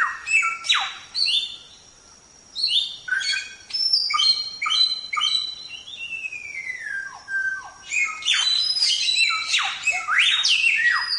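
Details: Samyong singing a 'gacor' tembak-style song, used as a training recording for other songbirds: a rapid, varied run of high whistled notes and chirps. Sharp descending slurs and a long falling whistle come after a brief pause near two seconds.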